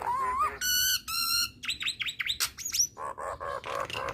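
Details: Nias hill myna delivering a wavering whistle, two loud, rich harmonic squawks and a set of quick downslurred whistles. A run of low, nasal, repeated notes follows.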